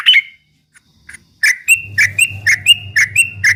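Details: Trucuk, the yellow-vented bulbul, singing ropel-style to rile rivals: a brief opening phrase, a gap, then evenly spaced sharp whistled notes, each dropping in pitch, over a steady low electrical hum.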